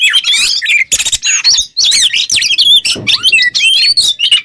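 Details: Oriental magpie-robin singing as a model for songbird training: harsh raspy bursts mixed with sweeping whistles and quick warbles, a brief gap midway, loud and close.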